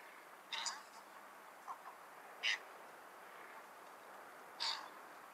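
A cattle egret gives three short, harsh, raspy croaks about two seconds apart against a quiet hiss.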